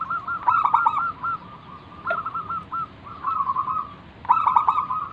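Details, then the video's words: Local zebra dove song of the manggung type, meant to prompt other doves to reply: clipped stuttering notes merging into mellow rolling coos, repeated in short phrases over soft background hiss. "burung perkutut lokal Gacor manggung"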